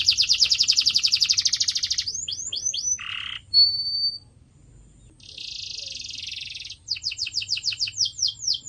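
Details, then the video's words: Canary song for training pet birds: fast buzzy trill, then falling sweeps, a low harsh burst, a pure whistle, a rattling roll and a run of quick descending notes. "CANARY SINGING SOUND"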